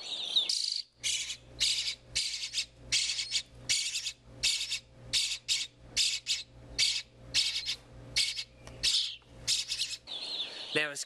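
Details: Hungry European Starling nestlings at a North American wildlife rehab beg to be fed with harsh, hissing rasps, about one burst a second, over a low steady hum.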